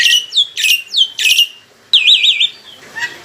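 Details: Loud, mature black-winged myna kept as a songbird, singing as a lure: three harsh falling squawk-whistles followed by a fast undulating whistled trill, then faint chirps.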